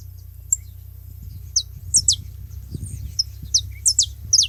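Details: Saffron finch at a feeding spot, giving scattered sharp, high, downslurred whistled notes, loose at first, then more frequent toward the end, over a steady low hum.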